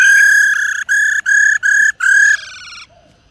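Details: Female black-throated laughingthrush 'rò' calling, meant to fire up male birds: long, loud, nasal, strongly buzzing notes separated by brief breaks, fading into a softer, rough tail.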